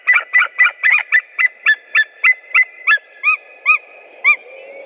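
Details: White-tailed eagles, three birds, recorded on 7 April 2017: a long series of loud, ringing yelps, about fifteen notes, fast at first and then slowing to well-spaced, arched barks near the end.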